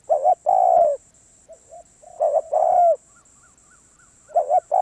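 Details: Spotted dove repeating its cooing phrase about every two seconds. Each phrase is a double-noted opening followed by a long, full coo. Softer short coos sound in the gaps, over a constant faint high whine.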